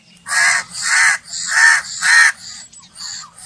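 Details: Crow cawing in a rapid series of four loud, harsh, broadband caws about half a second apart, followed by fainter calls; low rumbling hum underneath.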